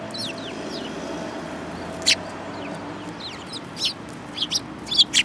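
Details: Sparrows with a yellow-beaked bird among them, 5 February 2018: soft, faint chirping notes, then one louder sharp chirp and a short run of quick calls toward the end.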